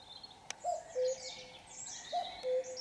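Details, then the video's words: Two falling cu-coo phrases of a common cuckoo at 5 a.m. on a Sunday before daylight, mixed with busy high twittering from other birds and a sharp click. "Le doux chant mélodieux du coucou le dimanche à 5h du matin"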